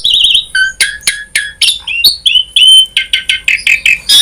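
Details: Asian pied starling giving a varied 'full isian' song used as a singing prompt: it opens with a warbling trill, then rhythmic scratchy notes and clear whistles repeat in a steady series of quick pulses.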